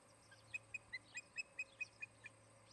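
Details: Osprey pair at their nest in Charlo, Montana, filmed by a nest camera on 17 August 2018 in the early afternoon; a faint run of about ten short, high chirping notes evenly spaced, over a steady low hum.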